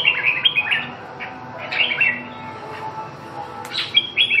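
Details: Red-whiskered bulbul singing: short, bright, warbled whistled phrases in bursts about every second, with a quiet gap mid-way before a final lively flourish.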